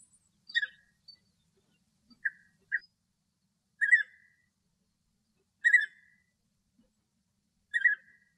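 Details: A male European bee-eater (Merops apiaster) sings in Greece, giving short, liquid, rolling 'prruip' notes, about seven in eight seconds at an uneven pace, against a quiet background.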